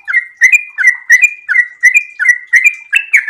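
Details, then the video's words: Sooty-headed bulbul in breeding condition in full, lively song, repeating a short two-part whistled phrase, a low swoop then a higher steady note, roughly every third of a second in a steady chant. "trucukan gacor birahi ropel super panjang"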